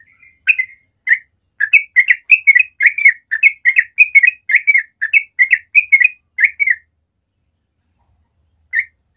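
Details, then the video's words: Yellow-vented bulbul singing in the morning in the natural rapid 'ropel' style: a quick run of bubbly, slurred chirps repeated about twice a second for seven seconds, a pause, then two more notes. No other sounds. "Masteran Trucuk ropel suara alami pagi hari"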